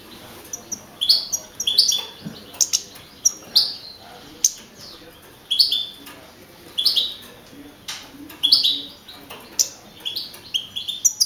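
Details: Young male European goldfinch, first-place winner of a field-goldfinch (jilguero campero) singing contest in Navalcarnero, Madrid region, Spain, on 15 April 2012. It gives short, scattered, high chirping notes separated by pauses, with clicks and faint background noise.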